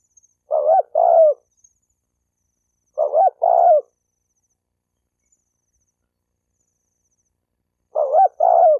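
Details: Spotted dove cooing to provoke males and females to fight: three paired low, hollow coos, each a short note then a longer rolling one, separated by long pauses.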